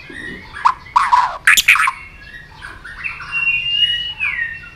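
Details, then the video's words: White-rumped shama roused to sing combatively, with harsh raspy bursts and scratchy notes followed by faint, drawn-out whistles in the background. "kích lửa cho chòe lửa hót"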